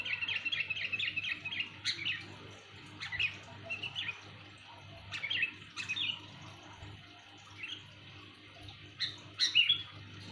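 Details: Sooty-headed bulbul giving loud, clear calls used for luring other birds: a quick rippling run of high chirps, then short bright phrases scattered every second or two, with a low steady hum underneath.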